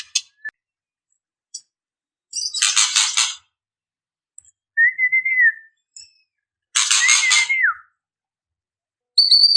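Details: Female white-rumped shama calling to males: sparse, widely spaced harsh buzzy bursts about every four seconds, separated by a short, slurred, rising-falling whistle and a brief high whistled note, with long silences between.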